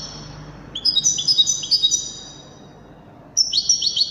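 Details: Wedani goldfinch singing wonderfully: a rapid run of bright twittering notes stepping up and down in pitch, a short gap, then another quick twittering burst. Low background noise throughout.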